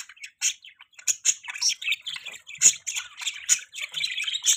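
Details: Budgerigars giving mating chirps: bright, clipped chirps and squeaky warbled notes come in uneven bursts with short gaps, building into busier chatter toward the end.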